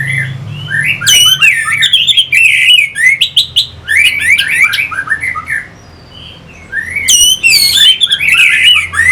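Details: Orange-headed thrush, a caged bird, song used to stimulate fighting birds; loud varied phrases of whistled, slurred notes mixed with sharp rising chirps, in bursts with a short pause near the middle, low hum underneath.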